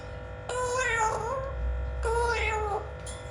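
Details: Blue-fronted amazon parrot, said to be talking funnily, gives two long nasal, harmonic calls with wavering pitch, separated by a short pause, with a steady background hum and low rumble.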